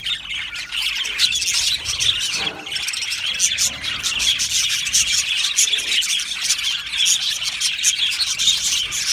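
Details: Colony of Australian budgie parrots in an aviary: continuous high chattering chirps from many birds, squawky notes mixed in, with a soft rubbing or rustling noise early on.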